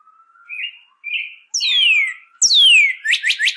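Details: Northern cardinal (red cardinal) song meant for teaching caged birds to sing: soft short whistles, then two long loud slurred whistles sweeping downward from high to lower pitch, ending in a quick run of three rising chips.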